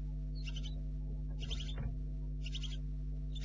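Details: Barn owl owlets at a nest at night, 04:30 on 4 July 2013, two owlets thought to remain; three harsh hissing snores about a second apart over a steady low electrical hum from the nest camera.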